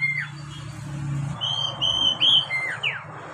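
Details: Oriental magpie-robin singing, played as a lure for novice captive birds: a downward slur, then a run of level whistled notes and two sharp falling whistles, with steady hum and hiss behind.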